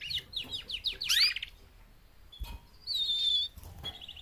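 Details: Female canaries, four birds calling to motivate males to sing: a quick run of descending chirped notes ending in a sharp upward sweep, a pause, then a steady high whistle and a short trill.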